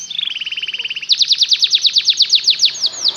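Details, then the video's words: Canary singing, played to help canaries learn to sing: a rapid, fine buzzy trill gives way to louder, slower, downslurred whistled notes repeated evenly, ending with two drawn-out sweeps. "LONG CANARY SOUND"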